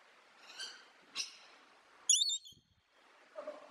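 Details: Macaw parrot giving a series of short, harsh, nasal squawks: two brief rasps, then a loud, grating screech, and a quieter, lower croak at the end, over faint background hiss.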